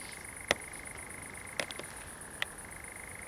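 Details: Common nightjar churring at night on 7 July 2020 in a pine plantation at Zamudio, Txorierri, Biscay, among fireflies; a steady, even mechanical trill runs throughout, broken by a few sharp clicks.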